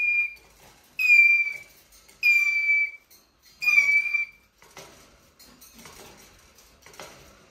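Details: Plaintive squeaking of a Eurasian jay: four loud, slightly falling whistled squeals in quick succession, followed by soft rustling and shuffling noises.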